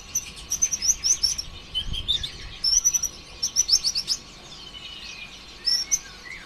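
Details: Sunbird in an energetic 'konslet' song serving as a lure for other sunbirds: fast, high, chattering phrases of clipped chirps in short rushes, a quieter pause, then a final brief flourish.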